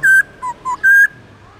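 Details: Black-throated laughingthrush singing in the morning in a wild-forest style: four clear whistled notes in under two seconds. Two longer, higher notes bracket two shorter, lower ones, over a quiet background.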